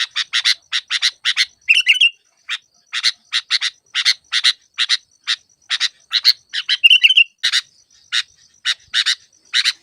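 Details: Sooty-headed bulbul lure recording for trapping: rapid series of rasping, buzzy notes in irregular runs, broken twice by a brief wavering whistled phrase, otherwise clean with no background noise.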